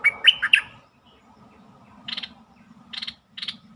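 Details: Bulbul song played to stir up birds: a fast, liquid whistled phrase, then three separate buzzy, rattling chirps spaced about a second apart over low background rumble.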